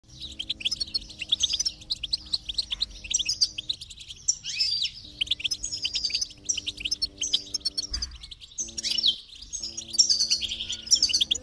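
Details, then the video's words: Goldfinch song played as stimulation to encourage a silent goldfinch to sing: long rapid twittering of bright chirps, trills and buzzy notes with short pauses, over faint steady low tones. "is Your Goldfinch Silent? Give it this stimulation and see the difference"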